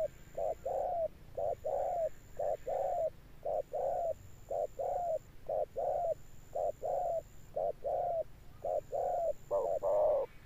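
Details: Spotted dove giving a deep, thunder-toned coo, steady and persistent: low hollow notes in short-long pairs, about one per second for ten seconds, the last note louder, with a faint steady high whine behind.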